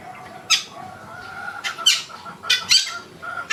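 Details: Yellow-vented bulbul (trucukan) in the wild, uttering rough, squawky notes in loose bursts, some paired, spread unevenly across a few seconds, with a faint steady hum beneath.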